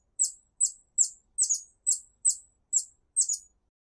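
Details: In a garden, a hummingbird calls other hummingbirds with a series of sharp, very high-pitched chip notes. They come evenly about twice a second, a few are doubled, and nothing else is heard.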